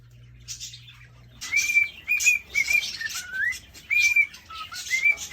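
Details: Male cockatiel in a cage whistles to court a female: clear, level whistles broken by a falling slur and short rising notes, each with breathy, noisy bursts above, after a quiet start with a low hum.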